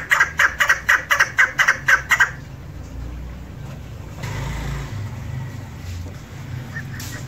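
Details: A female chukar kept for hunting gives a quick run of about nine harsh, clucking chuck notes over two seconds, then falls silent, leaving low rumbling background noise.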